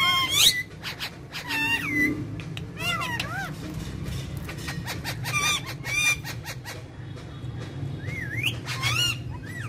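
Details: Two pet parrots talking and chattering: bursts of warbled, speech-like syllables and whistled rising and falling notes, with a squawk early on and a steady low hum in the room behind.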